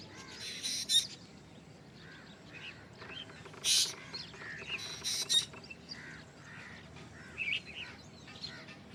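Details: Black drongo giving a strange call: harsh, broadband rasping notes mixed with short squeaky whistles and chirps, uneven bursts spread through the stretch, other faint bird notes behind.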